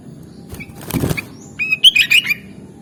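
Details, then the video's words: Sooty-headed bulbul, a bird native to Java, Indonesia, in chatty song: a soft flutter of wing flaps, then a quick burst of short, bubbly, whistled notes over a low background hum. "Suara Burung Kutilang Gacor"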